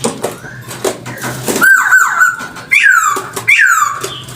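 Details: Hwamei song, used as a bird-catching lure: soft chatter gives way to a sustained whistled note, then two bold downward-sweeping whistles with a faint tail.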